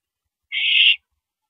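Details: Owl calling during a mouse delivery at night, April 13 2012, 9:17 PM: a single harsh, hissing screech lasting about half a second, steady and noisy, with silence before and after.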